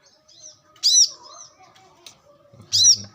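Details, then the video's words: Wild brown-throated sunbird song, recorded as a lure and tutor for training birds: two loud, high, sharp chirping bursts about two seconds apart, with faint thin notes between them. "kolibri kelapa | manggar | wiceh | pancingan korlap dengan suara asli alam liar gacor"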